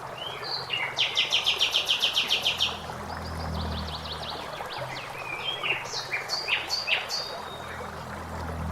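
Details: Common blackbird singing in a forest beside flowing water: a fast run of sharp repeated notes, then scattered high twittering phrases over a steady wash of running water.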